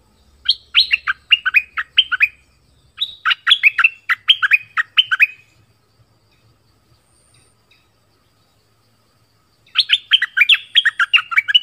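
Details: Song of a southern orange-headed thrush, used to lure wild birds and train young birds: three bursts of quick, varied whistled and warbled notes separated by pauses, the longest silence near the middle.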